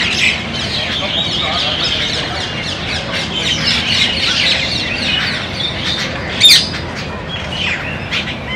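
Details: Common mynas (Acridotheres tristis) chatter in a steady stream of harsh, squawky and gurgling notes, with one sharp, loud squawk near the end.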